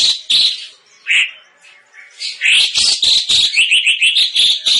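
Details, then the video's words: Cucak cungkok used as a vocal tutor to train competition songbirds, noted for a loud, dense voice; rich varied warbling phrases, fast rising chirps and squeaky notes run together continuously. "Burung Cucak Cungkok JIIOOOOOSSSSS"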